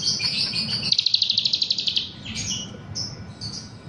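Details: Vigorous song of a grey-bellied bulbul taught cicilin phrases: high buzzy notes open, then a rapid rattling series of clipped high notes for about a second, then brief whistled fragments over steady low rumble.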